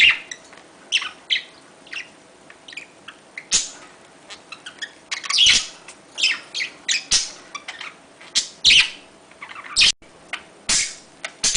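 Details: Pet budgerigar sounds used to prompt mating: scattered short chirps and squeaky notes separated by quiet gaps, with a few louder harsh bursts around the middle and near the end.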